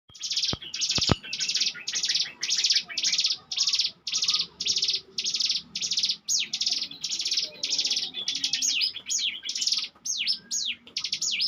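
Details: Bar-winged prinia in ngebren song style, used as a lure bird: high buzzy trilled bursts alternate with sharp downward whistles, about two bursts per second, brief clicks near the start.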